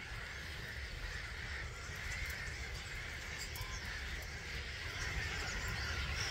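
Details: Around a quarter of a million starlings leaving their Gibraltar Point NNR roost at dawn, 05:45, 21 March 2022; a dense, continuous babble of calls that swells slightly near the end, with low wind rumble.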